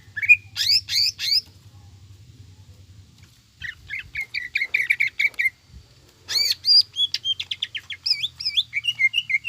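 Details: Lure song of a greater green leafbird singing gacor and ngekek, mixed with tengkek buto and other imitated phrases. A fast, bright trill of clipped notes switches to looping whistled warbles and slurred, rising and falling phrases, with short pauses between bursts.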